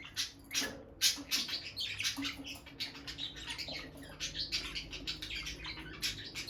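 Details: Bonded pair of peach-faced lovebirds by their nest box, the female going in and out, sitting close and touching beaks; rapid, dense high chirps and scratchy twitters in quick overlapping bursts, with faint rustling.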